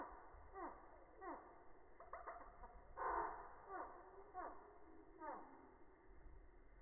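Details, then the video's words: Hummingbird calls in slow motion, slowed to a low pitch: drawn-out, downward-sliding notes repeated about every three-quarters of a second over a soft hum, with a lunge at 0:13. "hummingbird slo-mo (lunge at 0:13; bird calls)"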